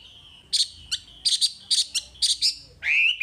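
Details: Wambi masteran song fragment: a thin high whistle broken by rough, buzzy chirps in small clusters, closing with a longer upward-sweeping whistle.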